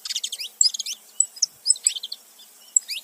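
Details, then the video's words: Saffron finch male and female together producing a quick flurry of high, stuttering chirps followed by a few isolated thin whistled notes and short slurred tweets, fairly soft. "canário da terra macho e fêmea junto fazendo barulho"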